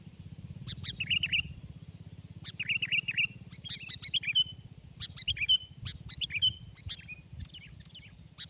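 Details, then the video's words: Sooty-headed bulbul, a 12-month bird, in a tense contest against a rival bird; bright warbled phrases in bursts of two to four notes, repeated across the recording, over a steady low hum. "Cukup menegangkan, pertarungan 12 bl vs Gerandong"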